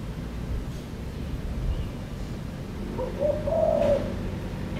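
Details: Asian koel calling near the house in the early morning: a single hollow rising "uuwu" note near the end, over steady low background rumble.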